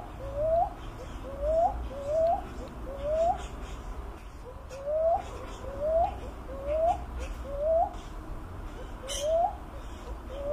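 A Philippine cuckoo-dove gives short, rising whistled coos, repeated roughly once a second, over a steady low rumble.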